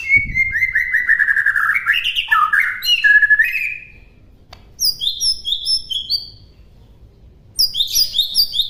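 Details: A white-rumped shama master song with a long descending warble and jerky whistles, then quiet gaps broken by very high, thin, repeated chirping notes.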